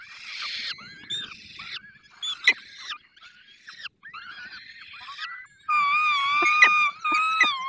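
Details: At a falcon nest in the Barycz Valley, feeding time brings short rasping cries, then a loud, sustained, wavering wail near the end, with a few sharp clicks.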